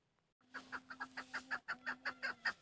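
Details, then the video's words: Hunting female chukar partridge: after a short quiet start, around twelve sharp clucks follow in quick succession over a steady low electrical hum. "شکاری مادی چکورخوبصورت آواز Shikari Madi Chakor awaz Keklik sesi Female"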